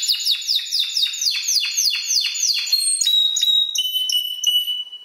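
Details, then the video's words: Spanish Timbrado canary, seven months old and trained with electronic timbrado voices, repeating quick falling sweeps for several seconds before shifting to sparse, thin high-pitched whistled notes. "Canario Timbrado Español"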